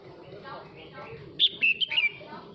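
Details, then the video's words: Male red-whiskered bulbul singing to call the flock: a short burst of five bright, slurred whistled notes in quick succession after a second of quiet murmuring background chatter. "Chào mào trống hót gọi đàn"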